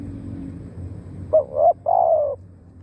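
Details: Spotted dove decoy calling to bring in wild doves: a single phrase of a short note, a rising swelling coo and a longer steady hollow coo over low background hum.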